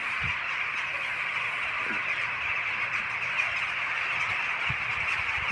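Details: An enormous flock of rooks, estimated at tens of thousands of birds, recorded from a car stopped at the roadside, producing a dense, unbroken wall of overlapping cawing, with occasional low thumps.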